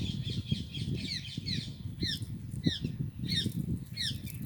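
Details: Indian green ringneck parrots, rose-ringed parakeets, at a parrot house, giving harsh, sharply bent screeches in short bursts over about four seconds, under steady low rumbling and fluttering noise.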